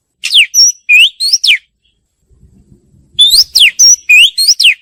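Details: Oriental magpie-robin song in two bursts of bright whistles, upslurred and downslurred notes with one steady high tone, each burst about a second long. A soft low rumble sits in the gap between them.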